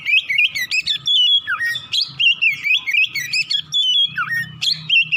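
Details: Vigorous morning song of an Oriental magpie-robin, meant to get another bird singing: continuous ringing whistles, repeated downward swoops and rapid chattering notes, with a faint low buzz.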